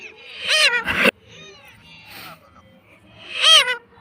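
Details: Pet parrot talking, saying "mummy": two loud, harmonic, arched vocal bursts about three seconds apart, the first a quick double note ending abruptly, with quiet room noise between.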